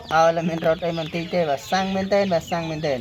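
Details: Tame captive waterhen, raised from young and not startled by people, kept for use as a decoy; loud, clear harmonic calls repeated in a steady series about every half second, with a faint human voice underneath.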